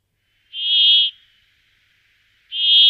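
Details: Brambling giving two long, drawn-out buzzy notes, each about half a second long, two seconds apart, steady and harsh in a fairly high pitch, with silence between them.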